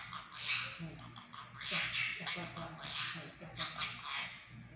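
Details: Pet monk parakeet talking indoors, mimicking Mandarin words such as mom and sorry; four raspy, hoarse bursts of imitated speech about a second apart, with a steady low indoor hum beneath.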